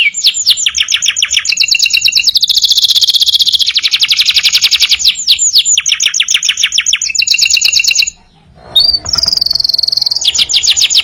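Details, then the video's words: Energetic canary song meant as a master recording for tutoring other birds: long rapid rolling trills and buzzy tours, shifting between high and very high pitches, with a brief pause near the end before a fresh high trill begins. "masteran burung kenari gacor"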